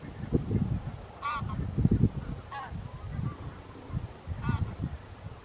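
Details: Barnacle Goose flock wintering near Ouddorp in the Netherlands, 27 January 2023, gives three sharp, nasal yaps roughly a second apart, with strong gusty wind buffeting underneath.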